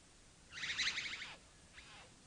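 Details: A bowerbird behind a house gives a harsh, grating rasp lasting nearly a second and ending in a downward slur, then a shorter, quieter rasp.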